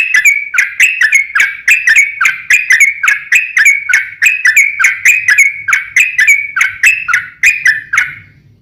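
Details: Sooty-headed bulbul singing as a lure to draw other birds to answer: steady run of bright, slurred whistled notes, evenly paced about three per second for eight seconds, fading at the end; faint low hum underneath.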